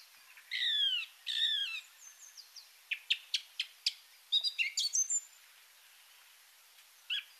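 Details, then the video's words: Song Thrush song, shriller than a blackbird's and cutting through, repeating short phrases before moving on: two slurred whistled notes, then a series of sharp clicky notes and brief trills, ending with a lone call. "so that's how you'll know this one i'm going to play this song for you now listen for how it's shriller than the blackbird a bit more strident sounds a bit more hassled"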